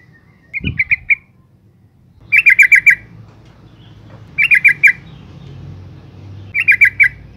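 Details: Female yellow-vented bulbul calling to stimulate males: a few soft bubbly notes, a thump, then three clear bursts of four or five fast gurgling notes about two seconds apart.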